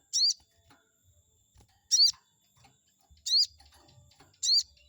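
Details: Chestnut-backed scimitar babbler calling to provoke an opposing bird: four sharp, high, arched notes at irregular gaps of one to two seconds, with faint low thumps between.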